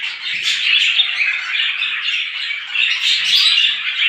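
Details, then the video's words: Small birds calling in the morning: a dense, continuous chorus of overlapping high chirps and twitters with no pauses. "صوت العصافير في الصباح"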